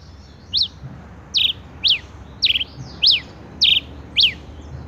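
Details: Male rufous-collared sparrow giving a series of seven sharp, high, quickly down-and-up slurred chip notes, spaced roughly half a second apart with short pauses between them, over a faint low hum.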